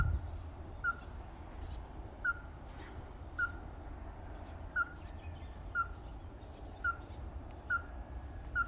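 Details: Eight crisp, repeated knocks from a ruddy-breasted crake, spaced about a second apart, over a persistent high thin tone and low background rumble.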